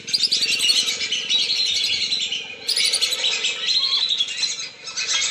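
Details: Lure call of lesser whistling ducks for bringing them down: dense, shrill whistled chatter from many birds, with a brief dip midway, then a fresh surge of calling and another lull near the end.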